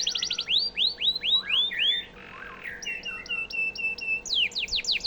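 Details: Canary song used for training White-rumped shamas: quick trilled notes, then slow rising-falling swooping whistles, a soft buzzy passage, and clipped repeated chips before a burst of falling sweeps.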